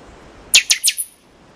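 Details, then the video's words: One phrase from a buffy-fronted seedeater: four crisp, clicking notes, each sliding downward, delivered within about half a second against a quiet background. "O Canto do PIXOXÓ (Sporophila Frontalis) Bird Song - Buffy Fronted Seedeater"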